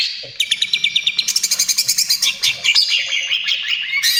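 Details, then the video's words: Energetic 'trotol' greater green leafbird singing, song used to lure and condition other birds: a fast series of about twenty crisp repeated chips, then a dense shimmering high warble with slurred whistles. "SUARA CUCAK IJO TROTOL GACOR, AMPUH UNTUK PANCINGAN DAN TERAPI"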